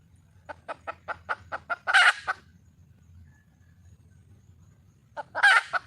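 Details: A red junglefowl hen, wild, calls to attract a male: seven evenly spaced sharp clucks build into a loud rasping squawk, followed by a quiet pause and a second harsh squawk at the end.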